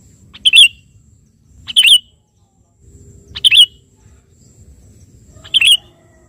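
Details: Sooty-headed bulbul singing persistently to call a rival, giving four brief, bright, liquid phrases with a quick rising-falling twist, roughly every one and a half seconds, against soft low background hum.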